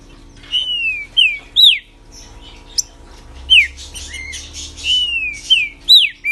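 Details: Singing green-winged saltator kept as a pet, delivering several phrases of loud downslurred and arched whistles, with softer twittering between and a faint background hum.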